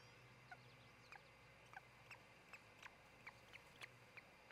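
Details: Osprey of a breeding pair at its nest near Charlo, Montana, caught by a nest camera around dawn on 26 June 2018: a run of short, sharp, high chirps repeated roughly every half second over a steady low hum.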